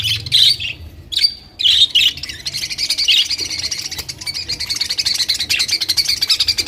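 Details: Colorful budgerigars give a busy, continuous warbling chatter of harsh chirps and squawks, with several louder bursts in the first two seconds, then a rapid pulsing twitter running steadily to the end.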